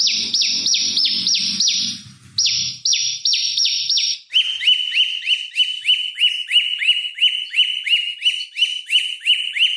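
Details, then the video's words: Prinia (prenjak lumut) song used to train oriental magpie-robins: quick high chirping bursts with a brief gap, then a lower, steady series of clipped notes repeated about three per second. "Prenjak Lumut Gacor Bikin Lawan Emosi Masteran Pancingan Prenjak Lumut Untuk Murai Batu"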